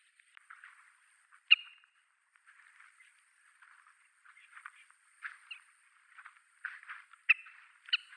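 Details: Several Oriental pratincoles, an endangered passage migrant or summer visitor on Yonaguni, Japan, calling as the small flock suddenly takes flight: harsh, raspy chattering notes with a few sharp ringing calls, bursts growing denser toward the end.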